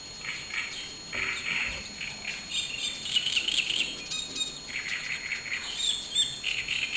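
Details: A great reed warbler sings in harsh, chattering bursts of repeated notes at Galacho de Juslibol, Spain, in May 2008. A steady high insect-like hum runs underneath.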